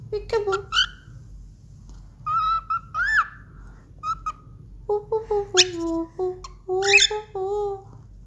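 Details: Young pet cockatiel (Nymphicus hollandicus) whistling a tuneful song of clear, steady notes, trying the September song, and mimicking human speech, saying "peekaboo".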